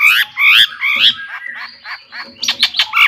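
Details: Long-tailed shrike singing as a lure to rouse other shrikes: rough, grating squawks and chattering notes run together, then a sharp series of short clipped calls near the end.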